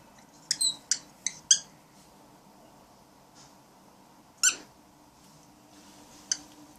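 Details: Pet cockatiel, described as grumpy, indoors protecting its cat friend: a few short, sharp, high squeaky calls in a quick burst, then two single calls after a pause, in a quiet small room.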